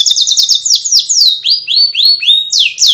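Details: Canary ngriwik song opening with a rapid trill, then slowing into long clear swooping whistles that rise and fall, heard close with nothing else.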